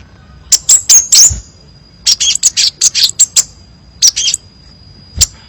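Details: Crimson sunbird, a nectar-eating bird of scrub, plantations and forest, singing a varied song: clusters of high, thin, sharp chirps in three short bursts, with a steady faint high tone underneath.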